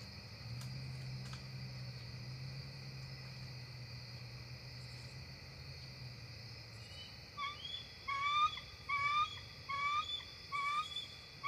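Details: Bald eagles, two adults flying up to their nest tree just before dark on October 4, 2023, field camera at a nest: after seven quiet seconds of low hum, sharp high chirps repeat about once a second over a steady insect-like drone.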